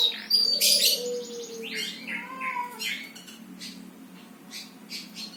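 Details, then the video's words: Loud, piercing chirps and a sharp whistled flourish open the passage, followed by scattered buzzy falling notes and a low drawn-out tone. The phrases grow softer and sparser toward the end. "Burung Pada Berkicau"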